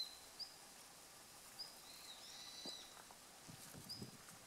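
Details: A male long-tailed rosefinch, recorded on 29 December 2013, gives three soft, thin, high whistled call notes, spaced a second or more apart, over faint rustling and quiet outdoor background.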